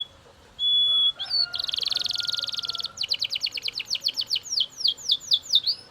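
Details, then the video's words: Loud Belgian canary song: a faint high whistle, then a fast buzzy trill, followed by a long run of rapid downward-swooping notes repeated several times a second. "Super Loud Belgian Canary Singing"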